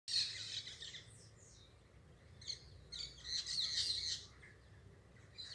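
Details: Parakeets calling: dense, harsh chattering bursts with squeaky, high notes, louder near the start and again between three and four seconds, over a faint low hum.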